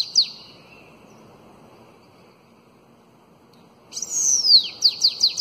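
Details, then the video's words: Bananaquit in elongated Belgian song style, played for tutoring young birds: one sharp note, a long quiet pause, then a high arching whistle sliding down into a fast run of short, clipped downslurred notes. "SIBITE CANTO BELGA ALONGADO Para ENCARTE De FILHOTES de CAMBACICA"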